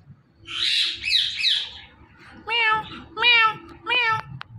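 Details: Indian ringneck parakeet talking, repeating "Mitthu": a harsh rasping squawk, then three clear nasal harmonic syllables spaced roughly half a second apart, with low background hum.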